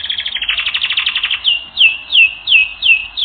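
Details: Canary song from a training recording, opening with a fast buzzy trill, then slower, evenly spaced whistled notes sweeping downward, about three per second.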